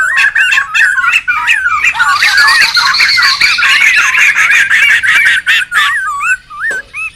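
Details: Noisy wild laughingthrushes used for luring and tutoring birds: a dense chorus of looping, wavering whistles rising and falling over rapid dry ticks and chatter, with a brighter, higher hissing wash in the middle and gaps near the end.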